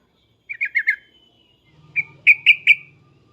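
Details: Loud 'cukcuk' and 'uplikuplik' calls of an agitated Yellow-vented bulbul, meant to get other bulbuls responding: a rapid string of four liquid chirps, a pause with a faint low hum, then four stronger ringing notes.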